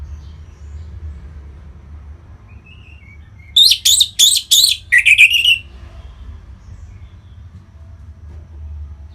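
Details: Orange-headed thrush kept in North Bali sings to set other birds singing; a single two-second phrase of four harsh, buzzy notes followed by a quick twittering trill, then quiet with a low hum.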